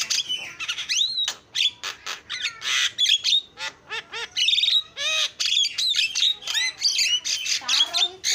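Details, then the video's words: Javan myna in full 'isian' filler song: dense stream of scratchy squawks, curving whistled slurs and chattering notes, very varied and almost without pauses. "JALAK KEBO KICAUAN PALING KREN SUARA ISIAN"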